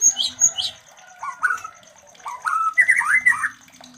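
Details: White-rumped shama giving mating sounds used to bring other shamas into breeding: a few high sharp notes, rising whistled phrases, then a busy run of warbled notes, with a faint low hum beneath.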